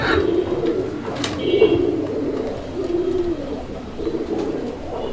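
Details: Native Bangladeshi domestic pigeons, Chila and Bombai types, at a farm near Gazipur: drawn-out low rolling coos, repeated about every one and a half seconds, over a hum of indoor noise.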